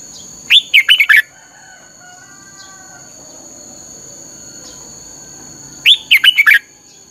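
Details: Red-whiskered bulbul singing in the fiery 'căng lửa' style, recorded as a lure bird for song training: two bright phrases of five quick warbled whistles, about five seconds apart, over a steady thin high whine.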